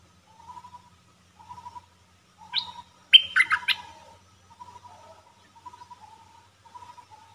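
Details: Red-whiskered bulbul kept in a cage as a trapping decoy, recorded 1 September 2021. A short loud burst of quick whistled notes stands out over soft, repeated lower chirps that run through the whole recording.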